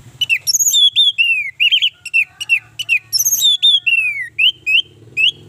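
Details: Orange-headed thrush song used as a lure to get other birds singing: loud whistled phrases with slurred descending notes and rapid chirps, high-pitched and varied, repeated in bursts with faint low hum beneath.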